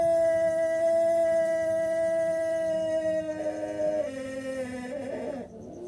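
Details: Six-month-old Pelung chicken still learning to crow gives one long, drawn-out, steady tone held for over three seconds, then stepping down in pitch twice and breaking up roughly at the end.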